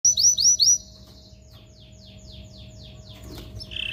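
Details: Canary song meant to stir males and ready females for mating: three loud sweeping high phrases open, then a run of faint repeated downslurred notes, with louder notes returning at the end.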